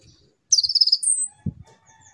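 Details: Konin song as a lure for training young birds: one fast high trill sliding into a thin drawn-out whistle, then a soft low thud.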